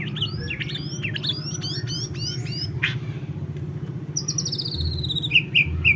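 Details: White-rumped shama singing varied clear whistled notes and slurred upward-sweeping phrases for about three seconds, then thin high notes and short sharp chips, over a steady low engine-like rumble.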